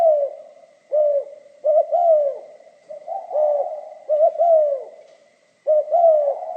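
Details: Giọng pha kim song of a spotted dove: mellow, low coos delivered as repeated phrases, each starting with short clipped notes and ending in a longer sliding-down coo, about six phrases with brief pauses.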